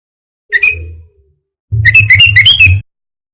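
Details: Sooty-headed bulbul lure call used to draw in wild bulbuls for trapping: a short whistled note, a pause, then a rapid burst of bright, squeaky chirps, with a steady low hum beneath.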